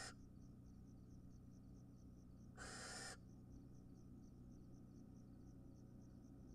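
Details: Wild barn owl mother at feeding time: a single harsh, hissing screech lasting about half a second midway through, over steady rhythmic insect-like ticking and low background hum.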